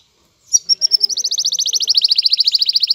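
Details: An excited male canary courts a female to make her take the mating posture. After a brief silence he sings a fast, even trill of bright rising notes, about seven a second, held steady to the end.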